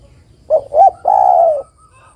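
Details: Female spotted dove calling to the male, used to prompt male doves to answer: one phrase of two short soft coos followed by a longer, steady, slightly falling coo.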